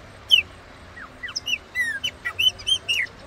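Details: Chopi blackbird singing in the wild near Cachoeira Castro Dantas, São Roque de Minas, Brazil: a lively run of clear whistled notes, many sliding downward, delivered in quick succession with short pauses.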